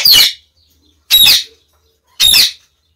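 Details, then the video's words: Female budgerigar, a pet whose previous mate she killed, waiting for a new companion; three loud, harsh, high screeching calls, each under half a second, repeated about once a second with silence between. "Cocorite | In attesa di un compagno"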